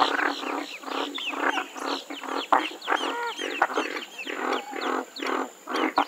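A Western Swamphen gives a rapid run of harsh, nasal, screeching honks, about two a second, with a faint steady high hiss behind.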